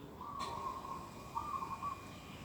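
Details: Morning bird in an organic garden, 11 December 2021: a long, steady whistled note followed by a shorter, broken, wavering note, against soft background hiss.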